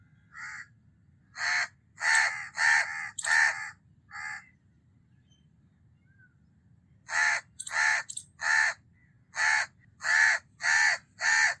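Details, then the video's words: House crow cawing in two bouts: a cluster of loud harsh caws, a silent gap of about three seconds, then a steady run of hoarse caws roughly twice a second. "House Crow Call"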